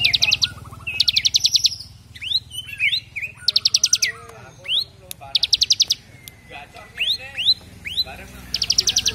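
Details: Bar-winged prinia, a half-active caged singer kept for training other birds, performing its rapid 'brem AK47' style: short buzzy machine-gun trills alternating with quick rising whistled slurs, the trills returning about four times in nine seconds.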